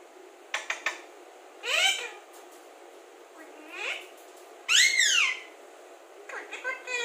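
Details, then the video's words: Alexandrine parakeet kept as a talking bird, mixing clicks, loud harsh arched calls and a softer call, with one especially loud, strained call near the middle and chattering notes at the end. "Alexander talking parrot"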